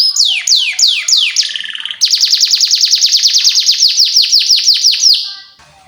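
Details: Canary song serving as a lure for training young canaries: a few slow falling whistles, a brief buzzy phrase, then a long rapid trill of repeated descending notes that fades out.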